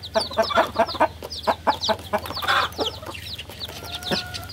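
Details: Cute chicks chirping: rapid, high, slurred peeps from several birds tumbling over each other, with scratchy low clucks and pecking noises underneath.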